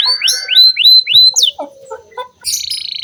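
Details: Canary singing as a lure song for training young canaries, a series of rising whistled sweeps followed by scattered chips and a fast buzzy trill.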